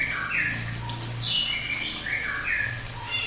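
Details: Cililin song: a string of short, varied whistled notes and slurs at middling-high pitch, some sliding down, some up, delivered in quick succession against a low humming background.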